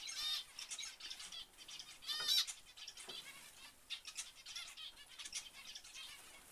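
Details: Zebra finches calling in bursts of nasal trumpet-like beeps, loudest around the middle, with fluttering wings and quieter gaps between.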